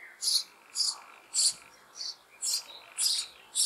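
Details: In a hollow of an old apple tree, spring sparrow chicks beg for food with loud, high, scratchy calls repeated almost twice a second, evenly spaced, faint low rustles beneath.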